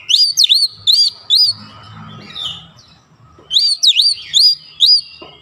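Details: Lure song of an Oriental magpie-robin, meant to stir other birds into singing. It opens with a run of sharp, high, swooping whistles, drops to a quiet pause, then returns with another fast burst of bright whistled notes.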